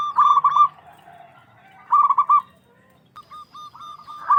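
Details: Local zebra dove singing with a big, clear voice to provoke rivals: separated purring trilled coos about two seconds apart, then softer spaced single notes in a quiet background.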